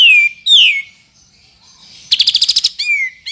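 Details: White-rumped shama training recording of tembakan for a champion bird: two loud falling whistles, a soft gap, then a rapid burst of about nine repeated notes and a final clear whistle.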